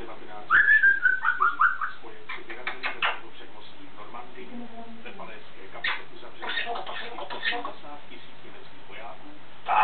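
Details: Pet grey parrot, said to know more words but unwilling to talk much, whistles a quick descending run of short notes, followed by clicks, soft chatter and scattered household noises.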